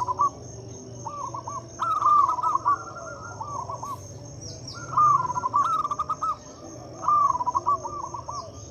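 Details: Local zebra dove song used to coax mute or reluctant doves into singing: trilled, stuttering coo phrases that rise then flutter down, given in bursts about every two to three seconds over a faint constant high tone.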